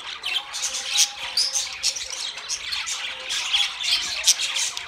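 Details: Rapid budgerigar twitter of short sharp chirps, about three per second, mixed with raspy warbling and a few clear whistled squeaks from several birds.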